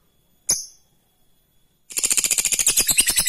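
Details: One sharp high squeak, then silence, then a lovebird launches into its rapid 'ngekek' trill, a harsh, tightly pulsed chatter intended to make rival birds trill in return.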